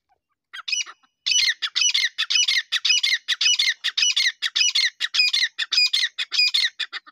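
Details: Grey francolin calling: loud, strident, harmonic notes repeated rapidly in a steady series of about seventeen phrases, each note sliding high and ringing, with a quiet background.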